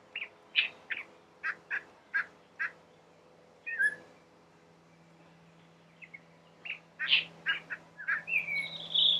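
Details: In a garden on the Chobe riverbank in Botswana, a collared palm thrush sings in bursts of short, clear whistled notes and slurred phrases, a few notes each second, with a pause midway and a steady low hum beneath.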